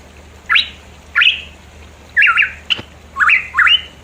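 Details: Pitohui lure recording from mountains in East Java: steep upswept whistles followed by wavering, zigzag phrases, roughly one per second, with a faint click between.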